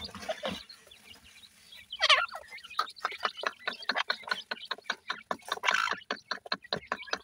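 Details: Several grey francolin chicks peep in fast, steady series of short high notes, joined by a louder, harsher chirping burst and a second raspy cluster later on.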